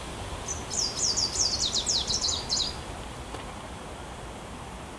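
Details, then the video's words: Wood warbler, a spring visitor, singing in Warsaw, Poland, on 9 June 2023: a few high thin lead-in notes that speed up into a shivering, downward-slurred trill lasting about two seconds, then quiet background. "Wójcik - Wiosenny gość w Warszawie"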